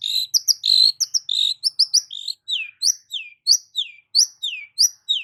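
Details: Long-tailed shrike song meant to coax a silent shrike into singing: quick varied chatter and buzzy notes opening, then a steady series of clear descending whistles repeated roughly twice a second.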